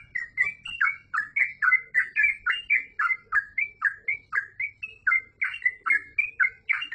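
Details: Yellow-vented bulbul delivering long, steady 'gacor full ropel' singing: around twenty bright, bubbling chirps in seven seconds, evenly spaced and varied in shape, over a quiet background.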